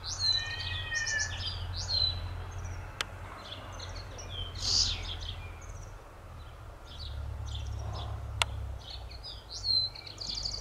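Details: A singing common linnet (Linaria cannabina cannabina) gives a rapid, varied twitter of bright trills and short nasal notes in bursts, over a steady low rumble of wind or distant traffic.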